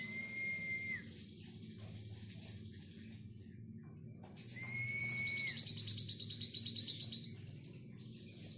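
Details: Brown-throated sunbird giving nembak song for lovebird tutoring. A level whistled tone sounds twice, then a fast, even trill of high metallic notes runs for about two seconds before softer chirps.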